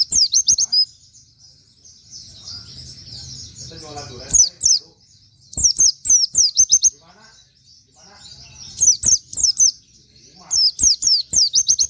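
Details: Plain flowerpecker (pleci), recorded for training other songbirds and likened to canary. Clusters of rapid, very high, piercing chirps come in separate bursts with gaps between them, and a brief murmur of other noise midway.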